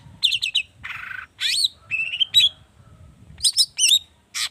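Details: Long-tailed shrike song, described as an agitated lure recording full of rich mimicked phrases, used to prompt other birds to sing. Quick trilled chirps, a buzzy burst, upslurred whistles and a short run of rising notes.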